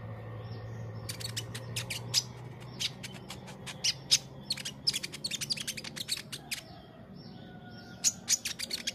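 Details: Training master of white-rumped shama singing: dense bursts of rapid, high, clicking chips in uneven runs, pausing briefly before resuming, with a faint low background rumble.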